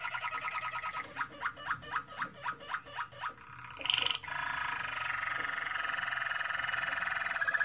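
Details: A Moroccan Malinois canary sings a slow run of mellow, bubbling notes about twice a second, then a long, rolling, water-like trill.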